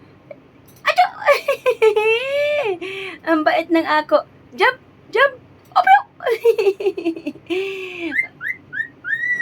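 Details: A pet cockatiel chatters high-pitched mimicked words as a morning greeting, such as "good morning", "Mommy" and "I love you", ending with a few rising whistles.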